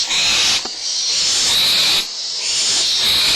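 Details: Barn owl young at Audubon Starr Ranch Sanctuary, April 2011 morning, in a minor fight over a food leftover, mother nearby: long continuous rasping hiss with a brief break near two seconds.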